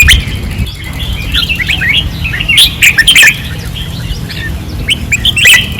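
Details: Training-perch red-whiskered bulbuls in Pattani, 2024, in fierce song: scattered bright whistled notes build into a burst of rapid chirps midway, with other birds answering and a faint low drone.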